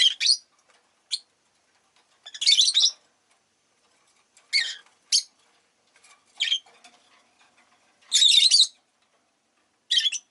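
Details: Several pet rosy-faced lovebirds, all fairly vocal on this day, give harsh, high, buzzy chirps in short bursts, some single and clipped, others longer rasping squawks, scattered irregularly with quiet gaps between.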